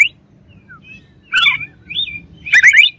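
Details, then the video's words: White-rumped shama giving a short series of thin whistles, then two rich, slurred warbling bursts. "KACER LAWAN AUTO EMOSI DENGER INI"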